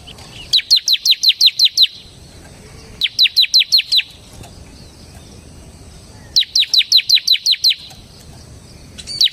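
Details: Ngebren song from a semi-type bar-winged prinia, recorded to lure and train caged songbirds. Three bursts of high, sharp, falling chips, about seven, five and seven notes each, spaced by pauses of roughly a second or more.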